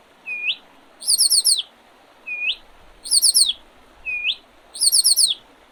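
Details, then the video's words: Spring birdsong, Oredezh River, Leningrad Oblast, Russia, 8 April 2023. A short rising whistle is followed each time by a quick, very high descending trill of four or five notes. The phrase repeats regularly, roughly every second and a half. "Весеннее пение птиц"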